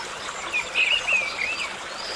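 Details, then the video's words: Coot chick by a forest river gives thin, high squeaky peeps, a few short wavering notes within two seconds, over a steady hiss of running water. "coot | coot chick"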